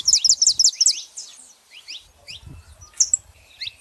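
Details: Saffron finches, female and male, opening with a quick string of bright high notes, followed by softer scattered chirps and low rustling.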